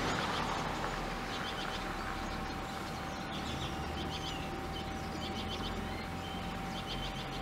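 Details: A few Icelandic redpolls in Akureyr, Iceland, in 2016, giving rapid, dry chattering call notes in short bursts repeated throughout, over a steady low hum and broad background noise.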